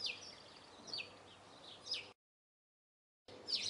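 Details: High, thin downward-slurred notes of a Eurasian blue tit, a few in quick succession, cut by a brief silent gap before one more note.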